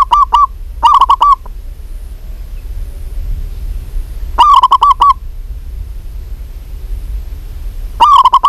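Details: Local female zebra dove calling a male repeats short bursts of quick, clipped coo notes, four groups spaced a few seconds apart, each a tight run of five to seven loud mid-pitched notes.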